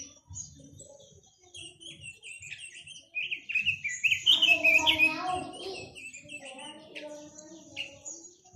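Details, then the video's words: Chinese hwamei song: a run of rich, varied whistled phrases, loudest in the middle, with slurred rising and falling notes and some lower warbling, over faint low background rumble. "Tiếng chim quế lâm"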